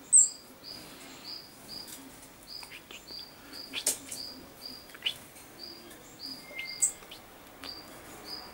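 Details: Common chaffinch on 22 August 2013 giving thin, flat whistled call notes in a steady run of about two per second, with scattered clicks and faint chirps behind.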